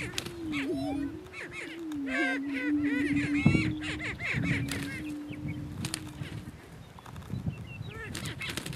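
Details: Greater Prairie Chicken males sparring for dominance on a lek in northeast Kansas: droning low hoots with frequent cackling, whooping calls, scattered sharp clicks, and a quieter stretch toward the end.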